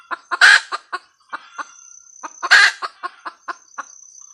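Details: Hen red junglefowl giving her cackle: a loud grating squawk amid quick clucks, a few scattered clucks, then a second squawk and more clucks, over a faint insect whine.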